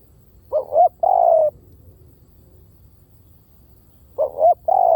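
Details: Spotted dove call used to lure birds: a full phrase of two short rising coos and a long even one, then a second phrase cut off at its end, over soft low hum.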